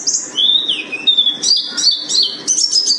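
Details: Gunung Karang mountain white-eye (pleci buxtoni) giving sliding, clear whistled notes that drop in pitch, followed by higher squeaky chirps in quick succession.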